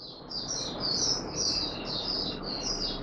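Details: Oriental white-eye in courtship mode, 25 January 2022: continuous high, thin twittering notes strung together rapidly, partly masked by loud steady broadband hiss.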